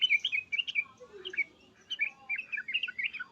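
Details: Excited Yellow-vented bulbul chattering in 'cukcuk' and 'uplikuplik' phrases to spur replies: a nearly continuous run of bubbly, bouncing notes with brief dips, and a single softer descending whistle partway through.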